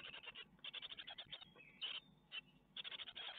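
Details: Great tit chicks in their Ostwald nest, 12 May 2021, while a spider is brought as food: quick trains of hissy, high chirps, a few thin whistled notes midway, then another burst of fast chirping.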